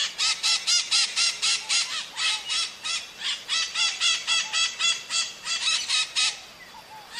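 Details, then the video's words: Wild maritaca parrots calling in nature: a loud, steady series of harsh, nasal squawks repeated about four times a second for several seconds, with a faint hiss of background birds. "O CANTO DA MARITACA NA NATUREZA"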